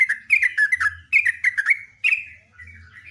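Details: Sooty-headed bulbul, known locally as trucuk, giving a loud, long song: quick bursts of bright, slurred whistled notes around a steady mid-high pitch, delivered in three short phrases with brief pauses, and a soft low hum underneath.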